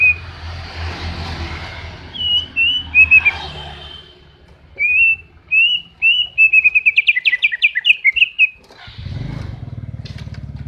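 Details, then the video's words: Greater green leafbird song used as a training reference for other birds: clear whistled slurred notes, then a quick run of sharp repeated whistles, with low hum beneath. "CUCAK IJO GACOR NGENTROK ..!! COCOK BUAT MASTERAN"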